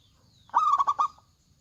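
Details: Local zebra dove singing with a big voice, a single burst of loud, rolling, stuttered coos pulsing around four times in under a second against quiet background.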